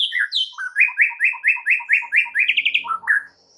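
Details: White-rumped shama singing vigorously, its full repertoire on display: a fast run of about a dozen evenly spaced, slurred whistled phrases around mid-high pitch, ending in a quick trill and two lower rising notes.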